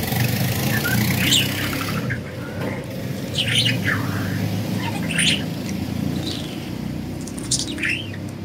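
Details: Budgerigars enjoying freedom give scattered chirps and falling whistled sweeps every second or so, over a loud continuous low rumble.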